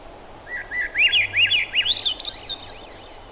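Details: Thrush song: a run of clear whistled notes, each sliding up and down, starting lower and climbing higher over about three seconds, delivered in quick succession against faint steady background noise.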